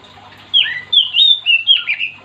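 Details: Lively Oriental magpie-robin (kacer) song, said to make other magpie-robins sing too: loud whistled phrases with sliding, dropping and rising notes in quick succession after a quiet half-second opening.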